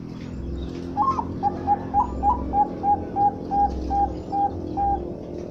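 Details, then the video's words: Zebra dove, Bangkok type, kept for sale, singing: a steady run of about fourteen short, soft cooing notes, quicker at first then spacing out, over a low rumbling background hum. "Suara Burung Perkutut bangkok"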